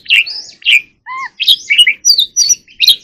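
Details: Short burst of white-rumped shama song: rich chirped phrases, a lower clear two-tone whistle, then quick varied notes.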